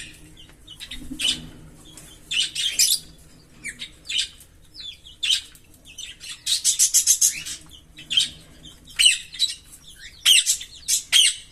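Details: Green Fischer's lovebird pair, kept birds, singing: bursts of harsh, buzzy chirps and shrill squeaks, with one rapid chattering run midway.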